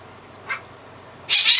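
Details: Pet male blue-crowned conure, which shrieks at times, usually for about three minutes before calming, normally at dusk: a faint short squawk, then a loud, harsh, broadband shriek bursting in and holding to the end.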